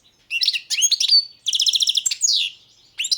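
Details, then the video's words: Balkan European goldfinch (Carduelis carduelis balcanica) in song, an almost continuous high twitter of tinkling notes, a fast chattering trill and sweeping downslurred whistles. "Pesma štiglića, češljugara , grdelina, lokera carduelis balcanica"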